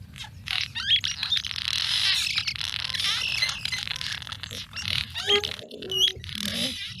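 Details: Cliff Swallow song recorded in California: a dense stream of creaky, squeaky chatter and scratchy twitters, high-pitched, with brief clear notes breaking through.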